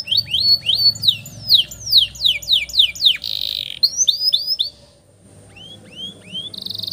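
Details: Canary singing a long rolling song used as a master recording to train young canaries: series of quick upswept whistled notes, then a falling run, a brief buzzy burst, a short pause and more upswept notes.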